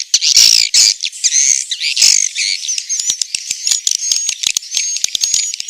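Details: Roosting swiftlet sound recorded in Central Sulawesi: rasping, squawky chatter and buzzy twitters, loud at first, then thinner high whistled trills broken by clicking pulses.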